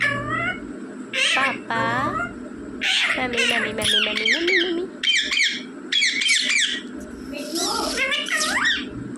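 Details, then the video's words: Captive talking rose-ringed parakeet saying mummy and papa indoors: a run of harsh, harmonic squawked syllables and sweeping whistled notes, bursts repeated in quick succession with short gaps, over faint background music and steady low hum. "बोलने वाला तोता मम्मी पापा बोलने वाला तोता"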